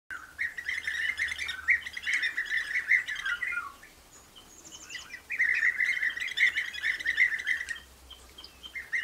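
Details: Common nightingale singing: loud, varied phrases of rapid repeated notes and rich trills, pausing briefly near the middle before a fresh burst of fast chattering notes.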